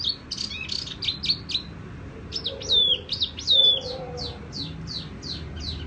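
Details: Tiểu mi songbird singing sweetly: clusters of high chirps, a pause, then flowing downslurred whistles and a steady string of sharp repeated high notes, with a soft low murmur in the background.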